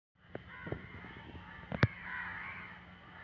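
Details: Crow shouting at midnight: a drawn-out, harsh, nasal call swells from about two seconds to three, after a few short knocks, over a steady low hum.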